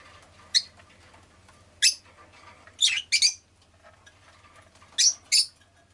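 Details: Pet rosy-faced lovebird chirping repeatedly: sharp harsh notes, some paired in quick doubles, spaced one to two seconds apart, over faint low hum and soft background chatter.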